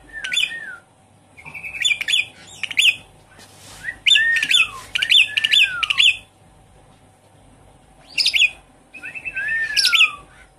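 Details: Javan pied starling (jalak suren) lure song, used to prompt a stressed bird that has stopped singing: bursts of harsh, buzzy broadband notes mixed with clear whistles sliding downward, in phrases separated by short pauses, with a faint steady hum behind.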